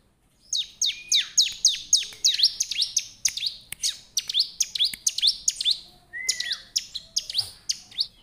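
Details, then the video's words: Bar-winged prinia in full, persistent song used to challenge wild prinias: a fast train of sharp, high, downward-sweeping chips, about three per second, with a single longer whistled slur near the end. "suara ciblek gacor menantang ciblek kawan ciblek liar"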